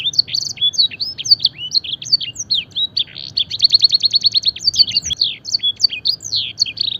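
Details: Canary singing a luxurious blackthroat-filled training song: varied high chirps and slurred whistles, broken in the middle by a fast, evenly spaced trill of identical short notes, then more varied chirping.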